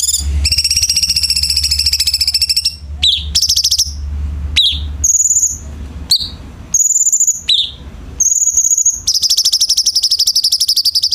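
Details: Tutor song of a light-vented bulbul for teaching captive birds: long, fast, buzzy high trills open and close the passage, with sharp falling notes and flat high whistles between, and a soft low rumble beneath.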